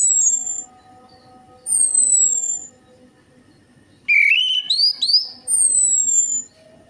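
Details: Orange-headed thrush song as a singing lure: high thin descending whistles repeated at intervals, then a fast rising, stepped warbling phrase, with steady low hum underneath.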